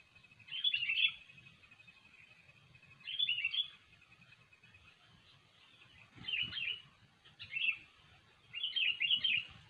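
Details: Sooty-headed bulbul singing for a trapping lure: five short, bright, bubbling whistled phrases spaced about two seconds apart, with a thin steady tone and low background hum between them.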